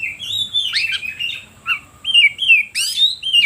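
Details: Oriental magpie-robin singing as a lure meant to rouse other birds: bright whistled phrases, sliding downward slurs and sharp upswept notes in short bursts with brief pauses, clear against a quiet background.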